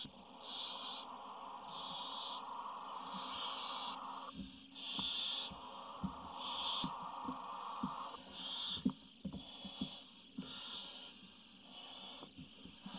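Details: Barn owl (Tyto alba) chick on a webcam, 27 May 2017, begging for food with harsh, wheezy hisses about once a second over a steadier rasping hiss and faint scrapes; the smallest chick is no longer being fed.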